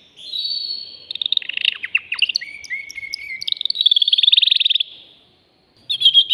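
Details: Male canary in a cage pouring out mating song aimed at a female: a high rolling trill, then clicks and a drawn-out lower whistle, then a fast bright trill lasting about a second and a half, a brief silence, and song resumes.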